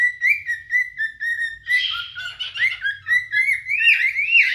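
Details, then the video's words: Pair of adult cinnamon cockatiels courting with song: a run of short even whistles, then a burst of buzzy, chattering warble, returning to rising and falling whistled notes. "آواز خواندن دوتا عروس هلندی عاشق"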